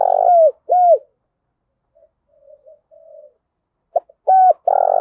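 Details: Spotted dove lure coo in rapid bursts: loud mellow coos with falling ends, a quiet stretch of soft low coos between, then another loud phrase starting.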